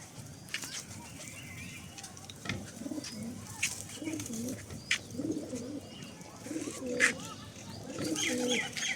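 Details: Domestic pigeons at a farm feeding, some birds with eggs, a female among two males: repeated low gurgling coos through the whole stretch, with scattered sharp clicks and pecking noises.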